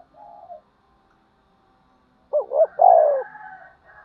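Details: Spotted dove calling during fight stirring: a faint low coo, a pause, then two quick hooting notes followed by a long rolling descending coo and a soft trailing hum.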